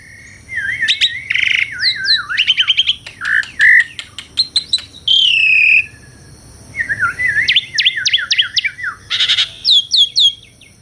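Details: Asian pied starling (jalak suren) singing a rich, varied song of wavering whistles, sharp clicks, buzzy harsh notes and a long falling slur, with rapid repeated chirps later.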